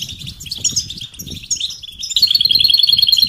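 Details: Goldfinch mating call sequence for stimulating males to sing: loose high chips and twitters, then an abrupt switch to a fast, evenly repeated series of clear ringing notes.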